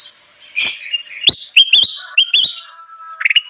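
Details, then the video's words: Actively singing bulbul, used to lure wild birds: a harsh chattering note, then clear upslurred whistles broken by sharp clicks, ending with a short quick burst. "suara burung kutilang emas gacor cocok banget buat pikat"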